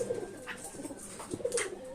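Soft, low pigeon coos, brief throaty notes repeated in a small indoor space.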